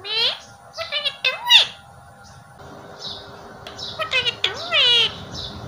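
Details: Pet parrot mimicking human words such as "Mummy what are you doing", "Baby" and "I love you": short raspy voice-like phrases with swooping tones, broken by brief pauses, indoors.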